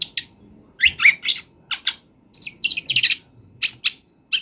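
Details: Wild long-tailed shrike song used to train songbirds: loud raspy squawks and chirps in quick clusters, with pauses between groups.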